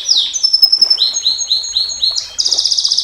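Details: Canary delivering 'nembak panjang' long-shot song used to tutor and lure champion birds: a bright sweeping whistle, a string of repeated downward notes, then a fast buzzy high trill.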